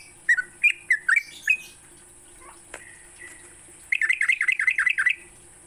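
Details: Sooty-headed bulbul in morning song, meant to get captive bulbuls singing: a few separated bubbly whistles, a quiet pause with faint notes, then a quick chattering run of rolling notes, with a steady high hiss throughout.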